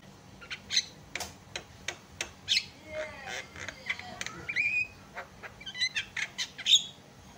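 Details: Javan myna singing to set other mynas off: rhythmic clicking and rasping notes interspersed with gliding whistles and a loud squawk near the end.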